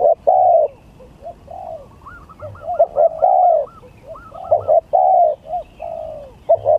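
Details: Contest song of spotted doves, gagap tindan versus klantan styles: repeated mellow coos, brief clipped notes leading into longer falling ones, while another bird adds quick looping whistled notes at a higher pitch.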